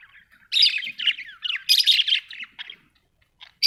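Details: Budgerigars chattering in a dense run of rapid, squeaky, twittering notes that swell, then fade to a few scattered chirps and a final sharp squeak.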